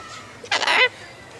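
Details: A cockatoo gives a single harsh, raspy word-like squawk lasting under half a second in a quiet room; its owner hears it as calling him a "cock head".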